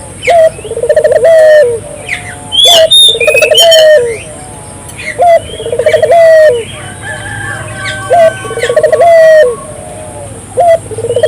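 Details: Vigorously calling Barbary dove, recorded to stimulate local doves; repeated trilled coo phrases ending in a smooth drawn-out tone, about every two seconds, alongside busy high-pitched chirping of small birds and a faint low hum.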